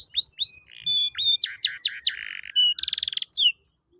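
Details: Lively canary song meant to stimulate a lazy canary: varied high whistles, a short buzzy note, clipped chips, a rattling trill and a final downslurred whistle before falling silent.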